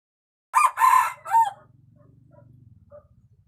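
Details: Red junglefowl, a wild chicken, giving a clipped three-part crow: a harsh first note, a longer buzzy middle and a shorter falling end, followed by a low steady hum in the background.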